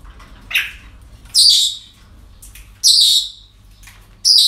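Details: Parrots at a breeding centre on an ordinary day: loud, harsh, high-pitched screeches in bursts of about half a second, separated by quiet gaps, with a softer call early on.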